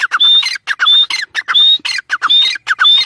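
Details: Chukar uttering loud, piercing, level-to-rising whistles, each followed by hoarse, clipped notes. The phrases repeat about twice a second in a choppy, insistent series, recorded at close range.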